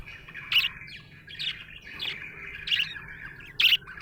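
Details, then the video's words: Cheerful budgie chatter, a continuous warble punctuated by loud, sharp chirps roughly every second, with a soft low background hum. "Happy budgie chirping sound"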